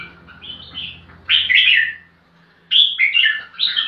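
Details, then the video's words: Fluty, slurred song phrases from a crested bulbul seeking a rival to fight: a soft opening, then two loud warbling bursts separated by a brief silence. "Kutilang Jambul Gacor Cari Lawan Tarung"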